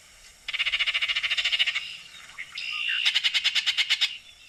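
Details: Baltimore oriole giving two dry, rasping rattles of rapid even pulses, about a second apart, with a short whistled note between them.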